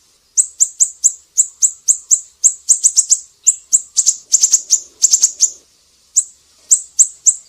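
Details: Siri-siri singing as a training recording for songbirds: a steady series of piercing high chirps, then bursts of three or four fast notes, a short pause, and the chirping resumes.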